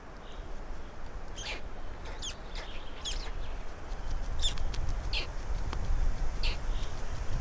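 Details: Black storks in Estonia during feeding, 16 May 2019 at 12:47; short, harsh, broadband bursts come irregularly in small clusters, over a constant deep rumble of wind or handling noise.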